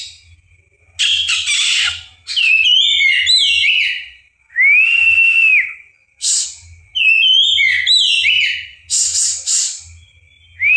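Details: Oriental magpie-robin singing: rich, clear whistled phrases with sliding and warbled notes, delivered in bursts of one to two seconds separated by short pauses, over a faint low hum.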